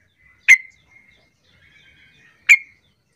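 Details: Sooty-headed bulbul lure call, used to prompt reluctant bulbuls to start singing and answer back: two sharp, bright chip notes about two seconds apart, with faint soft twittering between them in an otherwise quiet background.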